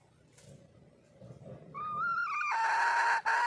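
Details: Wild hen calling for a male: a rising, steady nasal tone that swells into a loud, harsh, full-bodied cackle, briefly cut off and then resumed, after a quiet start with faint background murmur.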